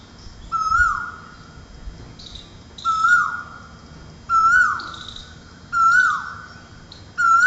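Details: Early-morning cuckoo at a window in Ahmedabad at the start of the rainy season, after extreme summer heat: five strong whistled notes, each level then falling away, repeated about every 1.5 seconds, with thin high twittering from other birds.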